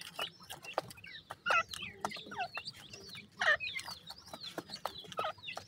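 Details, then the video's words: Partridge chicks from Pakistan, many calling together in a dense chorus of short, high, sweeping peeps and chirps that overlap irregularly, with brief clucking notes and a faint low hum beneath. "pakistani pheasant chicks are famous all over the world,partridge babies"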